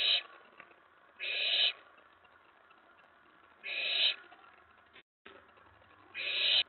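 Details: Nest-box owlet at night on 19 May 2017, excited while another owl sits on the tray after a mouse delivery; four rasping, screechy hisses spaced two to two and a half seconds apart, with a short gap in sound.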